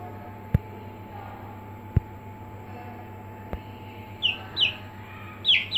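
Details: Aseel chicks in a brooder: mostly low humming with three sharp clicks, then four short high downward peeps arriving toward the end.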